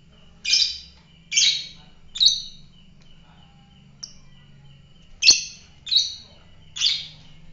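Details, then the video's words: Fighter lovebird giving shrill, harsh chirps in short bursts, seven loud notes spaced irregularly about a second apart, with a steady faint tone and low hum behind. "fighter lovebird"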